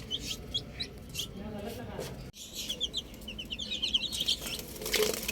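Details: Baby chicks enjoying the outdoors, high peeping chirps mixed with bursts of broadband noise and a brief dropout midway, then denser chirping toward the end.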